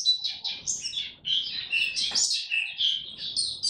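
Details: Oriental white-eye singing in 'buka tiong aw' style while building up form, 3 January 2022: a dense, continuous stream of high twittering notes that rise and fall rapidly, with one brief rustling thud near the middle.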